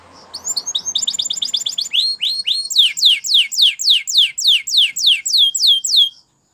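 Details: Canary singing a Spanish Timbrado training song over faint low background noise at the start: a rapid rolling trill followed by a long run of repeated swooping notes, about three per second, ending suddenly.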